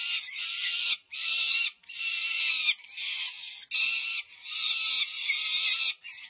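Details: Recorded on 18 May 2023 by a nest camera at UC Berkeley, California, this is peregrine falcon chicks over five weeks old clamouring to be fed by the adult female. Raspy screams come in bursts of about a second, separated by sharp gaps.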